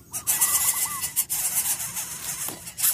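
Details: Coucal chicks in the nest give harsh, hissing rasps in rapid bursts, with a few wavering squeals, as a scolding parent tries to quiet them because they refuse the large food it brought.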